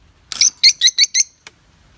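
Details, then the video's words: Pet lovebird giving a quick run of five bright, sharp chirps, closely spaced in about one second, then a single faint click, in a quiet room. "Blueberry talking"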